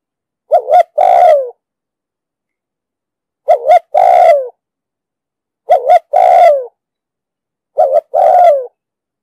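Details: Spotted dove cooing in the 'giọng đồng sấm' voice style with urgent 'thúc gù' cooing, recorded for training decoy birds and luring wild doves into traps. Four phrases, each two quick hollow notes and then a long falling coo, against clean silence.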